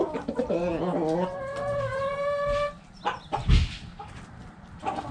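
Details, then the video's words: Backyard chickens: a rooster gives a long, harmonic crow lasting about two seconds, held level, then fading, followed by scattered clucks and a thump against low background noise. "Back Yard Chickens Continuous Footage! Rooster Crowing! Hens Clucking!"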